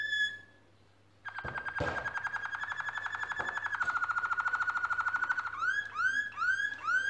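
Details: Canaries building a nest and singing: a short clear note, pause, then long rapid trills of repeated notes, stepping lower, followed by a series of rising swept whistles.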